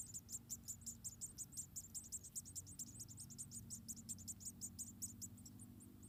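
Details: About four munia chicks in a wild nest in Indonesia while their mother feeds them one at a time. Hurried series of tiny squeaky high calls, nearly three a second, some doubled, against low background hum.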